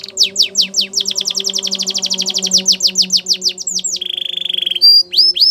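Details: Singing canary, song meant for training young canaries: a long series of quick repeated downward-swept chirps, closing with a flat sustained whistled note and a few rising notes, with a soft low hum behind.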